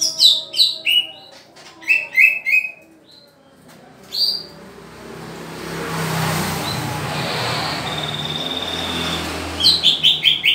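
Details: Green leafbird at pairing time gives sharp, clipped chirps and slurred whistles at the start. A stretch of rushing, hissing noise follows, with a thin steady tone, and a quick burst of chirps ends the passage.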